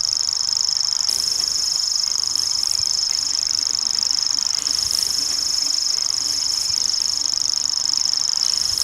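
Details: Reeling song of a wild common grasshopper warbler: a thin, rapid, insect-like trill at one high pitch, going on non-stop, with quiet low background sounds.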